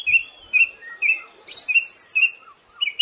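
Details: Siberian thrush song offered as a tutor track for cage birds: clear short whistles repeated about every half second, broken by a loud high buzzing trill lasting about a second, on a quiet background.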